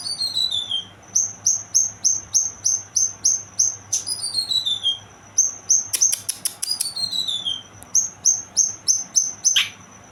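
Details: Song of a young kinoy bird, a rapid string of sharp high whistles with falling slurred phrases and short harsh buzzy rattles between, over a soft low background hum.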